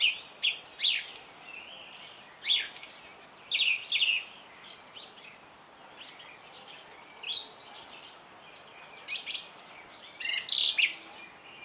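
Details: A singing song thrush delivers bright, varied phrases of whistles, trills and clicks in quick bursts about a second apart, some notes very high and rapid, over steady faint background noise.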